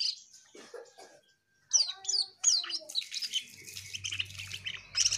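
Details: Singing Asian pied starling: scattered squeaks and chatters, a brief pause, then clear slurred whistles breaking into a busy run of scratchy, rattling notes over a low steady hum.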